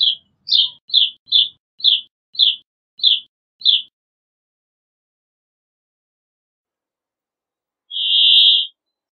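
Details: Brambling voice: a quick run of eight short, sharp chirps, then a pause and one long, even, buzzy wheeze. The background is quiet.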